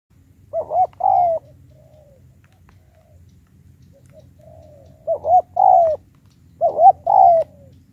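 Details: Spotted dove giving a high 'tiểu cườm' lure call, used to draw wild doves into a fight: three phrases, each two quick bent coos then a longer falling coo, with a long pause after the first phrase.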